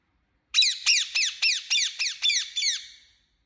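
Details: Pet Indian ringneck parakeet uttering a rapid run of eight loud, harsh, rasping squawks, evenly spaced about three per second, in otherwise silent surroundings.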